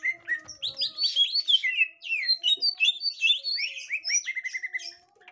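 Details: Gotri green leafbird with a young wild green leafbird: dense, varied twittering of swooping whistles and high squeaks, ending in a quick even series of repeated chirps, over faint steady hum.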